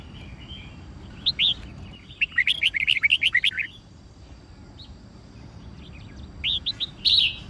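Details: Red-whiskered bulbul song used for training caged birds to learn songs and for fighting-style singing: bursts of bright, quick chirped notes around 1.3, 2.2–3.7 and 6.4–7.3 seconds, with quiet background between phrases.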